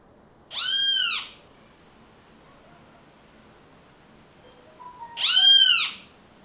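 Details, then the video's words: Bem-te-vi or great kiskadee calling twice, about four and a half seconds apart. Each call is a loud, arched, harmonic note lasting roughly half a second. "O quê voce quer, Bentivi?"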